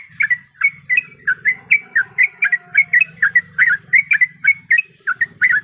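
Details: Calling sooty-headed bulbul, a female in breeding condition summoning a male; short, sharp chirps repeat roughly twice a second, each note bright and slurred, over a soft low hum.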